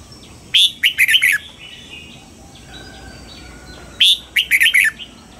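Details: Red-whiskered bulbul dawn song for training, in the âm kép già rừng double-note style: two matching phrases about three seconds apart, each a rapid string of five bright, sharply attacked whistled notes over a low steady hum.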